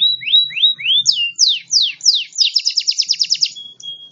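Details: A local canary sings a 38-second song of bright, high phrases: a few sweeping slurred whistles, then a fast run of repeated trilled notes, ending in a thin sustained whistle.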